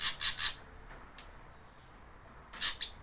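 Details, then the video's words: Javan grey drongo used as a lure for young birds, giving a quick triple burst of rasping, broadband notes, a long pause, then two more harsh notes ending in a brief upward whistle. "Pancingan burung bahan "SRIGUNTING ABU ABU JAWA""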